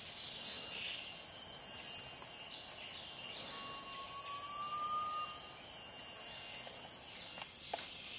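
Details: Garnet pitta in Sungai Relau National Park, Pahang, August–September 2022, gives one drawn-out, slightly rising whistle of about two seconds over a steady, high-pitched drone of insects.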